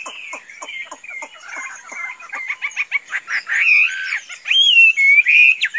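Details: A tame Chinese hwamei, calm enough to be let out without flying off, opens with quick dry ticking notes, then bursts into loud, rich whistled phrases that rise and fall in a varied warble.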